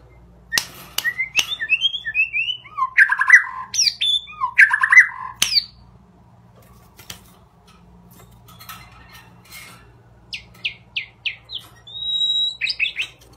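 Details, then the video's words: White-rumped shama (murai batu) singing a loud, varied phrase of harsh squawky notes and twisting whistles, then a pause and a later run of sharp clipped notes ending in a level whistle; low hum throughout. "Murai Batu"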